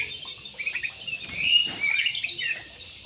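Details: Jumbo budgerigars chirp inside an aviary. Soft, high warbling builds into louder, slurred whistles in the middle of the clip, then fades.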